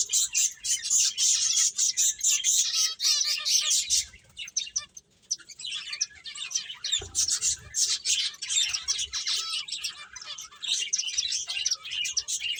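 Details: Several finches playing, giving a dense, busy chorus of high, sharp chirps and twitters that overlap almost continuously, dipping quieter around the fourth to fifth second before building again.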